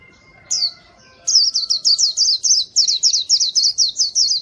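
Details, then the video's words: White-eye song meant to lure wild birds: one loud chirp, a pause, then a long steady series of high, falling notes repeated about four times per second. "masteran Burung PLECI gacor, sangat bagus buat mikat"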